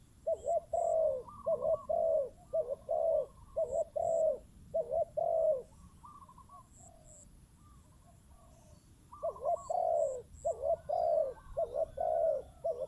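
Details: Spotted dove used as a decoy bird, answering a wild dove: runs of deep rhythmic two-part coos, a quiet pause of several seconds, then the cooing resumes.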